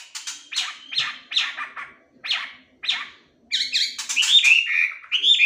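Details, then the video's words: Melodious laughingthrush (wambi) opens with a series of harsh, scratchy chatter notes spaced about a second apart, then bursts into loud rolling whistled phrases. "NGETREK WAMBI AGAR CEPAT GACOR"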